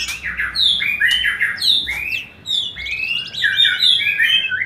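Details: White-rumped shama song used to encourage mating: fast, varied whistles and chirps sweeping upward, dense bright phrases with a short pause midway.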